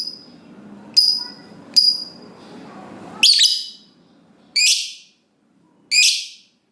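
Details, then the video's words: Lovebird producing short piercing whistled chirps, then three harsher buzzy shrieks spaced over a few seconds, over faint low background hum. "Lovebird Ngekek Panjang"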